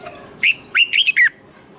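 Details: Red-whiskered bulbul singing a short phrase for training birds: four loud whistled notes near the middle, each swooping and slurred, with faint thin whistles before and after.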